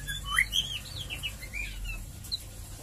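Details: White-rumped shama singing in the ngeriwik ngeplong style, used as a quick lure recording to spur other shamas into full song; soft slurred whistles rising and falling between brief chirps, over a steady low hum.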